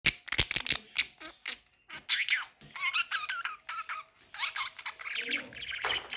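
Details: Pet budgerigar trying to talk, giving a rapid run of scratchy chirps, clicks and warbled syllables with brief pauses, mostly high-pitched and uneven in rhythm.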